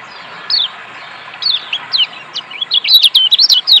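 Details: Lombok white-eye used as singing therapy for lazy birds; sparse high slurred notes build into a rapid jumble of twittering chirps and whistles toward the end.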